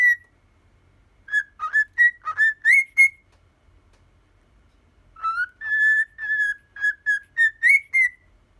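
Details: Domestic cockatiel, aged ten, performing the 'Poppippo' tune: two phrases of clean whistled notes, each a quick rising sequence with slurred upward inflections, separated by about two seconds of quiet; no other sounds.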